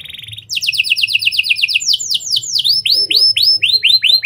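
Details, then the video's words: Canary in continuous song with lovebird and prenjak style phrases, used as a lure to set other canaries singing. A brief buzzy trill leads into a fast run of falling notes, then broad looping whistles. "Kenari Gacor Cengkok Lovebird & Prenjak! Ampuh Buat Pancingan Kenari Lain Agar Gacor Panjang"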